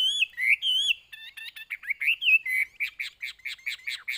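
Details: Singing caged Chinese hwamei: sweeping whistled slurs give way to stuttering buzzy notes and end in a fast string of short, evenly repeated chips.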